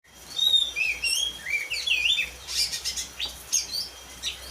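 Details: Oriental magpie-robin, the black-and-white form, sings varied high whistled phrases and slurred notes, followed by fainter chattering, over a hissy background with a steady electronic tone.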